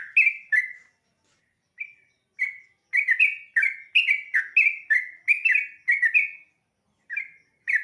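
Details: Dawn singing from a sooty-headed bulbul: clear chirped notes with downward hooks, first spaced, then packed into a bubbly rapid sequence, and ending with a few isolated phrases.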